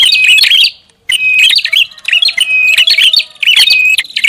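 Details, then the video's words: Energetic prinia lure call: shrill chattering bursts of high chips and a drawn-out thin whistle, a short silence after the first phrase, then more rapid noisy chirping. "SUARA PIKAT BURUNG PRINJAK ATAS RIBUT"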